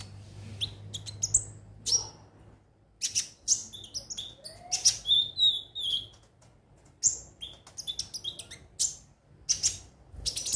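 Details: Konin, a sunbird kept as a singing bird, in a busy high-pitched twittering song: rapid bursts of sharp chirps and thin whistles, broken by brief pauses, over a faint low hum.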